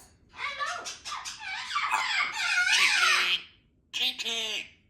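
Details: A 3-year-old female Congo African Grey Parrot, a pet in a country home, chatters in a speech-like voice. Bright, squeaky syllables come in bursts, then a pause, then a higher, nasal phrase.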